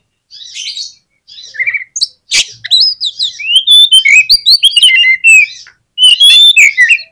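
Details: Oriental magpie-robin in full song, a lure to spur quiet magpie-robins to answer: a nearly continuous stream of clear whistled rising and falling notes, twittering trills and harsh chips, growing denser toward the end.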